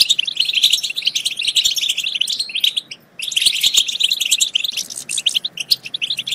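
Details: European goldfinch song played to stimulate goldfinches to sing and mate: a continuous, bubbling twitter of tinkling and buzzy notes that stops for a moment mid-way, then returns as fast, overlapping chatter.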